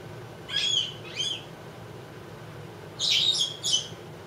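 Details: Two-year-old female Congo African grey parrot kept as a pet, being prompted to talk and mimic animal sounds: two quick high whistled phrases, a pause, then two more bright, buzzy whistles, in a quiet room.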